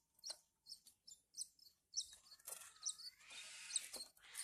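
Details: Horsfield's bush lark chicks being hand-fed give high thin chirps in quick bursts for two seconds, then a stretch of broad rustling and handling noise with more chirps mixed in.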